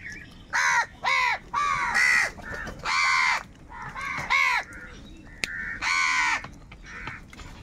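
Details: Several crows squabble over food, pouring out a dense sequence of hoarse, nasal caws, nearly a dozen in under eight seconds, loud ones answered by fainter callers.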